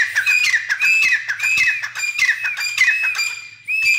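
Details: Grey francolin, locally called teetar, calling in a rapid series of harsh, ringing squawks with sharp upward-flicking notes, roughly two per second, over a steady faint low hum.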